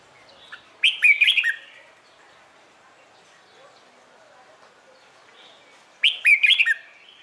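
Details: Red-whiskered bulbul giving its morning competition song, used to spur other bulbuls to sing along. Two lively warbled phrases of quick up-and-down whistles, separated by about five seconds of near silence.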